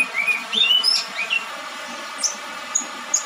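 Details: Spotted juvenile orange-headed thrush singing in dew and rain, kept as song therapy; a quick burst of clear whistled notes, rising and falling, fills the first second and a half, then a few thin, high chirps over steady background hiss.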